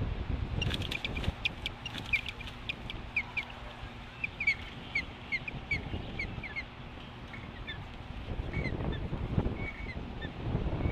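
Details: Osprey female carrying a fish confronts an intruding female at the nest at a ranch in Lolo, Montana, in August; rapid series of short high chirping whistles in bursts, with wind and low rumbling noise beneath.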